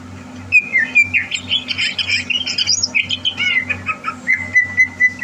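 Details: Caged greater green leafbird readied for a song contest, 30 November 2022, delivering a lively mix of slurred whistles and quick chirps, ending in a long steady thin whistle; faint low mechanical hum throughout.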